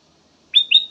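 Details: Kutilang emas, a songbird kept for its song, giving a brief whistled phrase of two sliding notes, the second rising and held, after near silence.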